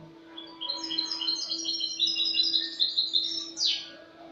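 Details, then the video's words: Clean-singing Spanish goldfinch, dated 08/22/2018: a long rising run of quick sparkling twittered notes ending in a sharp buzzy downward flourish, with a constant low hum in the background. "jilguero español cante limpio"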